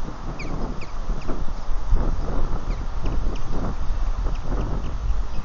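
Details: Osprey alarm calling from its nest at Lake Murray, 3 March 2020, around 2:20 pm, while intruding ospreys circle above. Nest camera. Quick, piercing chirped notes come in a loose series, nearly buried in strong gusty wind.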